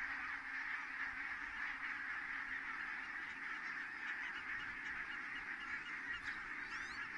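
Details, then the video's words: Large flock of geese landing at Kulgur, Estonia, on 4 May 2018 at 17:58; dense, unbroken chorus of overlapping honking calls throughout, with a brief high thin squiggle of another sound near the end. "so many Geese landed"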